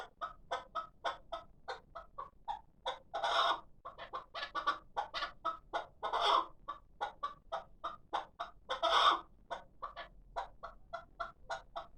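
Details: Caged six-month-old hybrid chukar partridge, a calling bird, repeating rapid clucking notes throughout. Louder, drawn-out harsh bursts break in at roughly three-second intervals.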